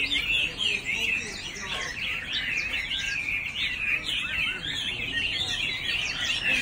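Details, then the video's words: Rapid, varied warbling from a male Chinese hwamei, with looping whistles and short chirpy runs delivered steadily throughout. "China Thrush (Rooster)"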